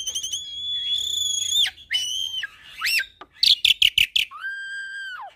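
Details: Asian pied starling with Nias hill myna and a Nias x pied starling hybrid: long pure whistles rising and falling, a series of five loud evenly spaced metallic notes, then a steady whistle that drops at the end.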